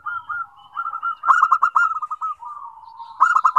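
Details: Several local zebra doves, known as perkutut, chorus after one starts singing. Pulsed cooing phrases overlap almost without pause, with loud bursts of rapid notes near 1.3 and 3.2 seconds and softer trailing coos between.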